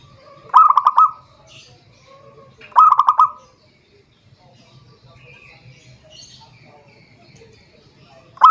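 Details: Zebra dove song used to call a rival: two short bursts of quick, pulsed coos about two seconds apart, a long quiet gap, then the start of another burst, with faint background chirps.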